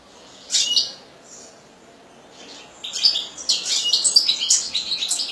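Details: A European goldfinch gives a brief chirp, pauses, then launches into an extended stream of high, jangling twitters and trills lasting to the end.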